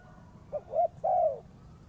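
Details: Single phrase of a spotted dove used to lure birds into a trap: a brief soft coo, a second rounded coo, then a longer sustained coo, with low hum behind.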